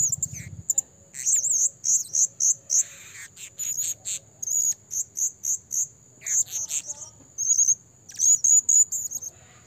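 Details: Blue-crowned hanging parrot lure recording for trapping: rapid series of piercing high chirps and short trills, some wavering, with brief pauses between bursts, and a thin continuous high whine behind them.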